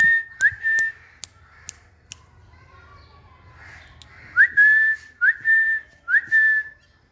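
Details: Green parrot kept as a pet, playing in a garden: a pair of rising whistles, a few sharp clicks, then three more upswept whistles that level off, roughly one per second.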